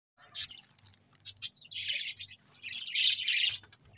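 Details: Budgerigars chirping: scratchy, high chirps in short bursts, an isolated note early on, then denser warbling chatter swelling near the end, with a faint low hum beneath.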